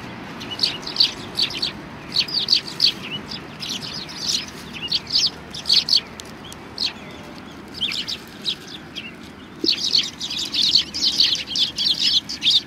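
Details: Sparrows gathering at a Tenmangu shrine for food on 25 November 2020; steady series of short, high chirps from several birds, briefly quieter, then a busy stretch of overlapping chatter near the end.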